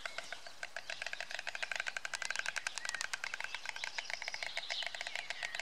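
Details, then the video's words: White stork at its nest by the Elbe on 16 June 2016, clattering its bill to greet its partner: a rapid, dry wooden rattle of sharp clicks that speeds up and runs continuously, with faint thin bird whistles behind. "Weißstorch - Begrüßung des Partners am Nest"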